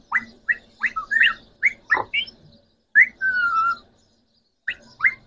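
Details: Three pet rose-ringed parakeets, green Pakistani talking parrots, utter a run of short rising whistles and chirps, one long steady whistled note, then more upslurred whistles.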